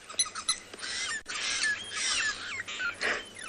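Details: Lilac-breasted roller at sunrise on safari, 18 August 2020, its call said to be less pretty than the bird, going 'bah, bah, bah'; harsh, noisy rasping bursts repeat through the clip, with thin whistles from other birds behind.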